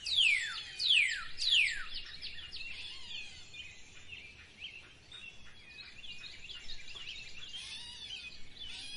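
Birds chirp in quick, high descending sweeps, three loud ones in the first two seconds, then fainter overlapping twitters from several birds over a soft background hiss.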